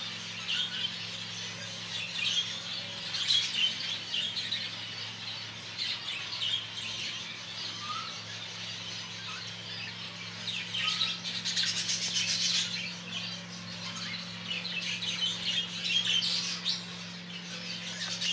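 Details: Exhibition budgerigars chatter nonstop in bright, scratchy chirps and warbles over a steady low mechanical hum.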